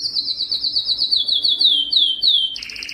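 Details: Yellow canary singing a rapid series of falling trilled notes that lengthen into drawn-out downward swoops, followed by a short burst of buzzy higher trilling.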